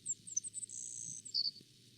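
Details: A Savannah Sparrow, a bird found throughout Newfoundland where it breeds, sings a few very high thin chips, then a long insect-like buzz and a short lower trill, over a faint low hum; the song seems to say its name.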